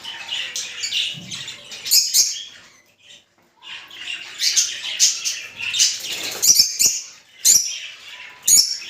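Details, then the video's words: Lovebird mating sounds, rosy-faced and Fischer's, to stimulate breeding: rasping, high-pitched chatter in overlapping bursts with short gaps and a few sharp clicks near the end. "أقوي صوت لتزاوج طيور الروز والفيشر"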